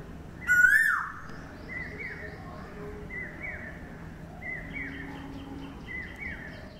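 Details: Cuckoo giving one loud, clear whistled note that rises and then drops, followed by a fainter series of similar short whistles repeated about once a second, with soft outdoor background noise.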